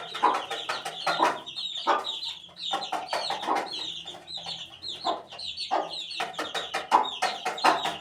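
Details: High chirping peeps from an 18-day-old chicken chick repeat through the recording, interspersed with sharp broadband clicks and scuffling bursts, over a quiet low background hum.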